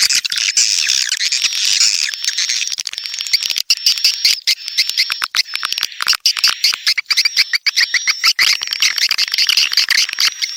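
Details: Swiftlets calling in a continuous high, rapid chirring twitter, many clicks and chirps overlapping, a thin sustained whistle tone running across most of the recording.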